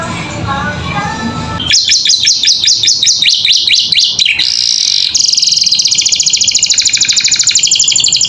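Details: Captive canary in steady song, recorded as training audio for caged birds: a murky noisy opening, then quick whistled note series and a long, even, buzzy rattle-like trill.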